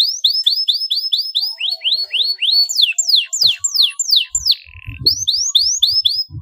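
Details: Canary lure song for silent or stressed canaries: a row of quick upswept chirps, then steeply falling whistles, a brief buzzy note, and more upsweeps, with faint low thumps near the end.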